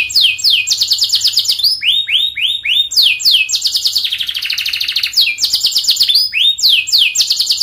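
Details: Canary song for training young canaries: fast repeated high trills, a run of four looping downslurred notes, then a rolling trill and more rapid trill phrases.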